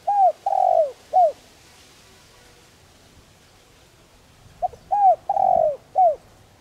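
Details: Spotted dove, a caged decoy bird used to lure and train wild doves, giving two phrases of its coo: a short note, a long falling note, then a clipped final note, around 700 cycles, with a quiet pause between phrases.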